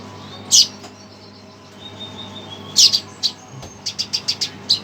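Red siskin giving bright, high twittering bursts, then a quick series of six short chirps about a fifth of a second apart, over a faint low hum.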